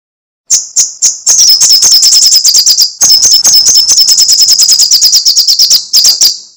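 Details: After a short silence, a sunbird known as sogok ontong or srigati gives a few separate high ticks, then long runs of rapid, shrill crecetan chattering with one brief break.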